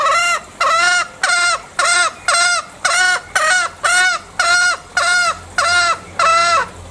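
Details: Loud green junglefowl from Bali giving a steady sequence of twelve harsh, strongly harmonic calls, each slightly arched in pitch and about a third of a second long, spaced very evenly.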